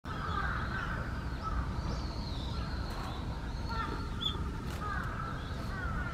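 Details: Night herons growing angry at Sanpoji Pond, giving harsh, grating croaks that come in drawn-out, rasping bursts over a steady low rumble of water and wind noise.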